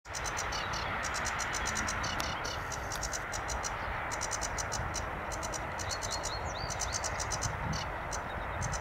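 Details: Sedge warbler recorded on 25 April 2024 at Munnikenpolder, the Netherlands: fast, dry, scratchy chattering in short bursts of ticking notes, over steady wind or distant traffic rumble.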